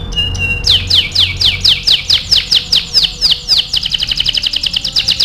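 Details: Lively canary in full song, used as a master recording for song training: a few sharp notes, then a string of loud downward-swept whistles about three per second, ending in a fast buzzy trill.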